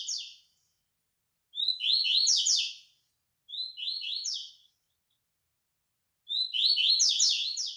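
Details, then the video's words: White-throated seedeater song used for training: four bright, rapid phrases of sweet chattering notes with buzzy trills, each lasting one to one and a half seconds and separated by short silences. No other sounds. "Coleiro Baiano x Capim Marmelada x Treinamento"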